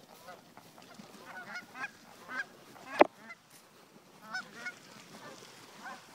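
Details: Geese on a Colorado lake giving scattered, fairly faint nasal honks across the recording, with one sharp loud click near the middle and quiet background noise throughout.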